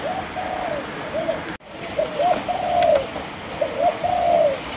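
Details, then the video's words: Young spotted dove of Malaysian stock, three months old and called a future champion, delivers low, mellow cooing phrases of several rolling notes, with a brief dropout midway and faint background hiss. "Cu Gáy Malaysia 3 Tháng Tuổi"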